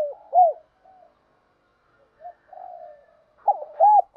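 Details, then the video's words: Decoy cooing of a spotted dove for luring wild males: one clear arched coo, quiet murmurs and a hush, then a fresh cluster of loud, hollow, rounded coos near the end. "tiếng cu gáy mồi giọng hạp bổi dùng kích bổi"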